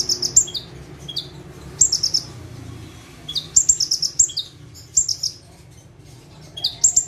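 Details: Bar-winged prinia, or prenjak tebu, singing gacor style while sitting on one perch: scattered bursts of bright high chirps with dropping end notes, clustered around the middle, over faint low background noise.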